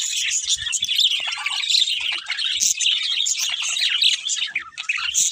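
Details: Pet budgerigar pair in lively chatter: loud, rapid high twitters, squeaks and occasional sharper squawky notes, nearly continuous, with only faint low knocks.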